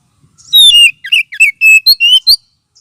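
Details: Magpie-robin lure and therapy sound for birds lacking aggression: a loud string of rich whistled notes, a falling opening whistle followed by brisk slurred notes and a rising finish.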